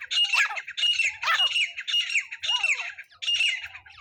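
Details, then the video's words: Francolin (teetar) call used to lure birds into a net trap: harsh, scratchy squawks in steady bursts about every half second, loud and close. "teetar hunting sound"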